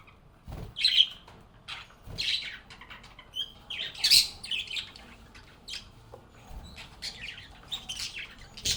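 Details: Happy budgerigars chirping and chatting with one another. Loud, scratchy high chirps and squawks are scattered irregularly, with a few louder bursts between softer twittering and brief quiet gaps.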